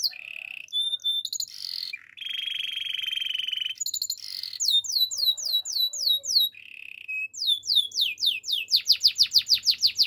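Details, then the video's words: Spanish Timbrado canary sings a high, varied song: long rolling trills, metallic chimes, and quick repeated down-slurred notes that speed into a rapid rattle. "Spanish timbrado canary singing"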